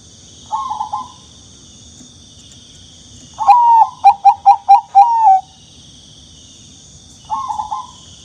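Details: Young turtle dove giving a soft burst, then a loud falling note followed by four rapid short notes and a final longer falling note, another soft burst later, with a constant high electronic-like hum behind.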